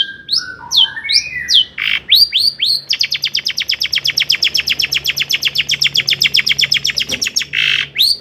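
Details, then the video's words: Long-tailed shrike singing vigorously, with imitations of other birds, to stir rival shrikes. Sweeping whistled slurs give way to a fast, even rattle of crisp notes, about five per second, ending in a few louder whistles. "kicau CENDET GACOR paling DI CARI cocok UNTUK PANCINGAN CENDET AGAR NAIK EMOSI"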